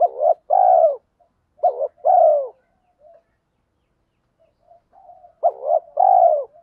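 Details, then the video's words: Spotted dove used as a lure, 'thổ pha' voice and fast 'thúc gù' cooing to stir wild birds into replying: three throaty double-note coo phrases with quiet gaps and faint murmurs between. "chim cu gáy mồi giọng thổ pha thúc gù như máy khâu, bổi nghe ức chế gáy theo, mở là gáy"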